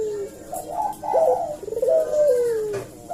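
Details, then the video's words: Collared dove lure call for prompting replies: continuous cooing with quick rising-and-falling inflections, ending in a long gliding downward note, with a faint indoor echo. "suara burung puter gacor ini pancingan nyaut"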